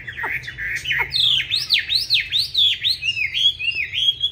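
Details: Chinese hwamei of the 'Lục Đậu Thanh' eye type singing a competition fighting song, used to train other hwamei to a smooth, non-harsh song: loud whistled swoops, then a fast run of repeated downward-then-rising slurred notes.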